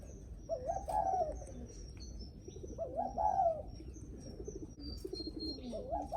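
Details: Spotted dove cooing in the 'greeting visitors' manner: two rolling coo phrases about two seconds apart, low murmuring coos behind, and a thin steady high whistle running across the background.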